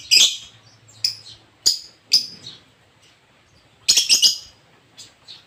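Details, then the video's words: A lobert singing: sharp, bright chirped notes spaced about half a second to a second apart, with a quick cluster of chirps near the end. Faint background hum is present. "Suara burung lobert yang sangat merdu"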